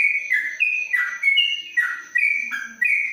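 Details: Covered-cage yellow-vented bulbul from Kebumen, Indonesia, in 'ropelan panjang' style: a string of clear whistles, each dropping then jumping back up, about three per second, with a steady faint high tone in the background.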